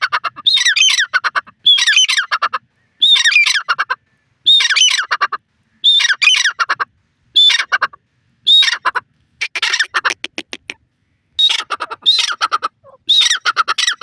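A francolin gives loud, harsh, grating phrases about a second long, repeated about ten times with brief pauses between them. No other sounds stand out.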